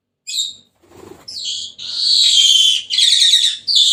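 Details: Senegal parrot giving a short squawk followed by a faint rustle, then long, continuous harsh screeching that runs almost unbroken to the end.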